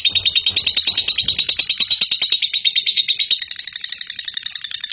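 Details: A lovebird chatters in a fast, unbroken stream of shrill, scratchy notes, several each second, with a faint low rumble early on; kept as a singing-training bird.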